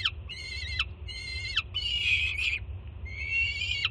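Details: Juvenile peregrine falcon at a Jersey City nest screaming at its mother's arrival with breakfast, June 24, 2017; two clean harsh screams with falling ends, then a louder, noisier, rasping scream and a rising, drawn-out final cry, over low hum.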